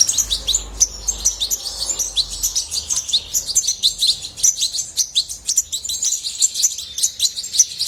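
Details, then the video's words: European goldfinch in sustained song, a lively, high-pitched tumble of tinkling notes and short trills repeated in quick succession, with a faint low rumble at the start. "طائر الحسون من أجمل الطيور وأنداها صوتاً"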